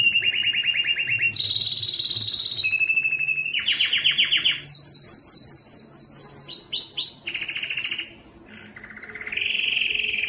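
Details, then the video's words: Yellow canary in continuous song: rapid rolling trills at shifting pitches, a stretch of descending high chirps, a brief pause, then a rising whistled phrase into another trill, with faint low background hum. "yellow canary singing"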